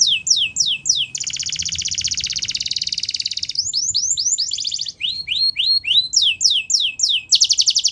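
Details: Canary song for training, with quick falling notes, a long dense buzzing trill, a run of short slurs, then repeated rising whistles and a final fast rattle.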